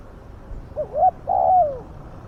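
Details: Spotted dove used to lure wild doves, known for its big, fierce voice. A single phrase of two quick rising hoots leads into a long, mellow, downslurred coo.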